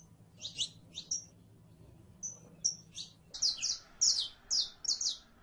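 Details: Saffron finch: paired high chips at first, then a denser series of loud, bright, slurred notes roughly two per second, over faint low hum.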